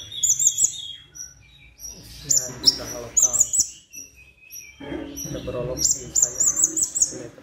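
A plain-throated sunbird gives very high, thin, twittering bursts of quick chirps, in short runs separated by pauses, with people's voices murmuring underneath.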